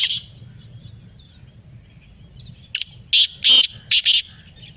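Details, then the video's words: Black francolin from Pakistan calling in answer to a played call: after near silence, a few harsh, scratchy bursts come in close succession near the end, over faint low background rumble. "Kala Teetar Ki Awaz | Black Partridge Voice"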